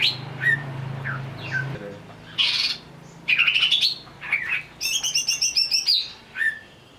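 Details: Agitated greater green leafbird singing after being provoked, with sharp chirps, whistled downslurs and a loud buzzy rattling burst. A low steady hum runs under the opening seconds.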